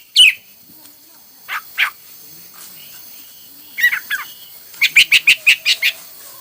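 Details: Hwamei singing sparsely: scattered sharp whistled notes and short chirps, ending with a quick run of six or seven bright repeated notes, against faint background hiss.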